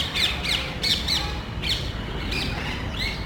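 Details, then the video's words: Parrots from a small group searching a neighborhood for nesting places, noisily quarreling; rapid run of harsh, downward-curving screeches, several per second at first, then spaced out, against a low background drone. "Parrots Making Loud Noise.तोता वार्ता"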